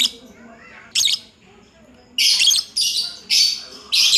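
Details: Lovebird performing 'ngacor' song: squawky, buzzy, high bursts, two short ones, then four longer, harsh bursts close together.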